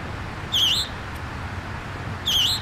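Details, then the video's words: A young scarlet tanager at Memorial Park, New Kensington, Pennsylvania, gives two brief, slightly burry slurred phrases, each dipping then rising, spaced nearly two seconds apart over a low background rumble. "scarlet tanager bird singing"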